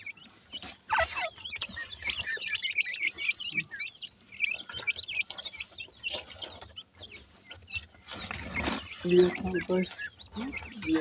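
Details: Baby teetar, Grey francolin chicks, fighting with their mother after a feed, a busy chorus of overlapping high cheeps and short chirps with softer clucking and rustle, rising to louder bursts near the end.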